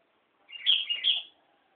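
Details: Sooty-headed bulbul singing at Nambangan: a single bright, bubbly phrase of two quick warbled notes, each rising then dipping, pitched high and clear against a quiet background.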